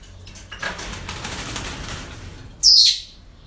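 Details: Parrot at a breeding centre: a couple of seconds of soft fluttering and rustling, then one sharp, loud, strident screech lasting about half a second.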